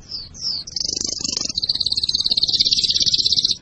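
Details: Pet canary singing, a song meant to prepare for breeding and teach young birds: two quick descending whistles, then a long, very high continuous rattling trill with soft background noise.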